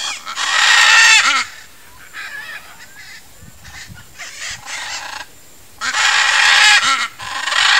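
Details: Blue-and-yellow macaws (Ara ararauna), a pair busy nesting in trees, giving loud, harsh, drawn-out screeches in two long bouts separated by quieter, wavering croaks and rasping notes.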